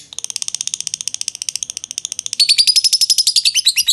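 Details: Jogja show lovebird, kantil variety, in long ngekek trilling: steady quick chatter of sharp high notes that grows louder and rises into a slurred, more tonal run halfway through.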